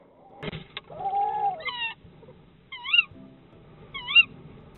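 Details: A Tawny owl pair duets at their ash-tree nest in the Yorkshire Wolds in 2021 during egg-laying: a rasping burst, a brief wavering hoot, then shrill kewick notes about once a second as the female persistently calls for food and the male answers.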